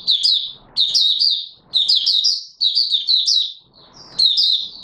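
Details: Oriental white-eye, locally Mata Puteh Raja, starting its song on 24 March 2022: high warbling twitter phrases roughly once a second, each a fast jumble of sweet slurred notes, a light rustle between the later bursts.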